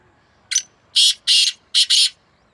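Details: Two black francolins calling against each other in a contest; a harsh, buzzy phrase of five rasping notes, a short one followed by two pairs of longer grating bursts, over a quiet background.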